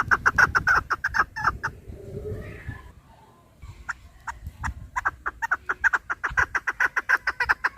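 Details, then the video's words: Chukar partridge, recorded to attract birds for hunting: rapid harsh clucking notes fade into a quiet low-noise pause, then the clucking resumes and speeds into a dense, regular run. "Овози кабк кеклик калик пение каклик мастак модкабк шикор"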